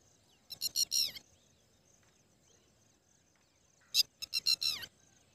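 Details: Red-wattled lapwing (Vanellus indicus) in the North Indian plains gives two loud bursts of four or five sharp, shrill notes, about three seconds apart, against a quiet background.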